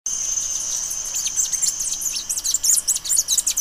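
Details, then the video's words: Bay-headed tanager song: a quick jumble of very high, thin, sharp notes packed closely together, over a steady high whine running through the whole recording. "O canto da Saíra de cabeça castanha"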